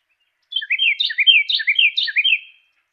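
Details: A single clear Carolina wren song of four repeated rolling phrases over two seconds, each phrase a quick sweeping triplet, heard against silence.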